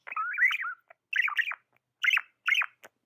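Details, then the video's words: Tame budgie chirps in a long wavering warble followed by three short clusters of downward-sweeping notes separated by brief silences. "Amazing budgie chirping sounds"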